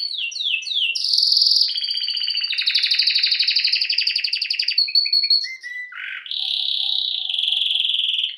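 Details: Canary singing long dense rolling trills, a few descending chirps, short whistled notes, a low buzzy burst, then a sustained high trill; loud, continuous, nothing else heard.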